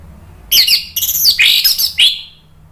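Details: Orange-headed thrush singing as a lure meant to make other birds answer: a dense, loud burst of rapid scratchy and warbling notes lasting about one and a half seconds, with brief breaks between phrases.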